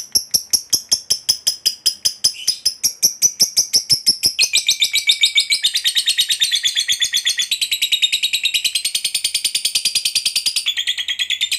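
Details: Long ngekek call from a fighter lovebird, meant to provoke other lovebirds to chatter. Evenly spaced high ticking notes speed up into a dense, shrill, buzzy chatter that runs unbroken for over eleven seconds.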